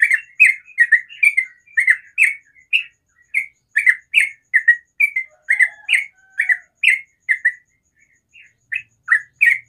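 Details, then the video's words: Morning song of a sooty-headed bulbul, a long steady string of short bubbly two-part notes delivered roughly twice a second, with a faint lower whistle from another bird partway through. "TRUCUKAN ROPEL SUARA ALAM PAGI HARI"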